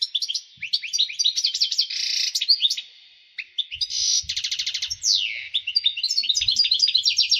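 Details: European goldfinch song in breeding excitement, meant to stimulate females for mating; bright twittering broken by two harsh buzzy bursts, a short pause, a descending slurred note, then quick chirps over faint low knocks.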